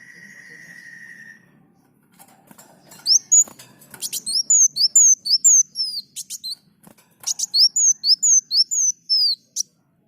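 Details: Kolibri muncang, the olive-backed sunbird, singing actively in a bird-training recording. A steady mid-pitched tone and faint hiss open it, then bursts of high, falling, whistled slurs mixed with dry ticks come in two runs separated by a brief pause.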